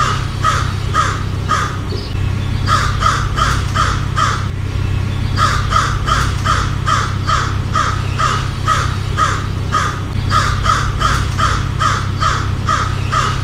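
American crow giving harsh, repeated caws in quick bursts of three to five, over a steady low rumble of background noise.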